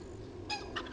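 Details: Wild turkey at a feeder site in April, around 7 pm: a strutting, puffed-up male trying to interest hens gives a quick, rattling gobble in a brief burst over a low, steady background rumble.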